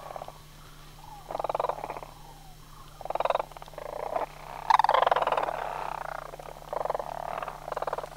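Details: Sandhill cranes on autumn migration at Homer, September 2009, from a flock of about 100. Rolling, rattling calls come in short bursts every second or so, some overlapping, over a steady low hum.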